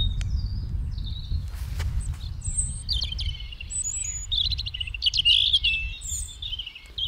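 European Robin song: thin, high, liquid phrases that wobble and tumble, some notes sliding sharply upward, over a low rumble of wind or distant traffic.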